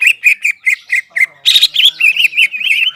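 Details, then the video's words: Greater green leafbird with crest up giving six evenly spaced whistled notes, about four per second, then a harsh burst followed by a rolling, wavering warble. "CUCAK IJO GACOR JAMBUL NGENTROK PALING AMPUH MENAIKAN EMOSI CUCAK IJO STRES DAN MACET"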